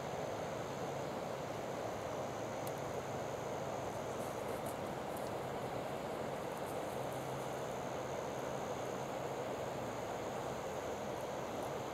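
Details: Only a steady low rumbling hum with faint scattered clicks is heard by a river, with no animal calls.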